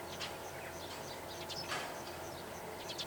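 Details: Meadow bunting perched on a power line over a pasture in Takaharu, Japan, giving its ground call: short high chips repeated through the clip, with one louder note near the middle, over a steady low background hum and other faint bird notes.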